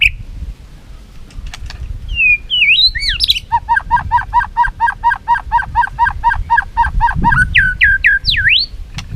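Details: White-rumped shama singing against a rival, tail flicking, opens with swooping whistles, then delivers a long, even rattle of about twenty fast repeated notes before ending in sharp, V-shaped swoops.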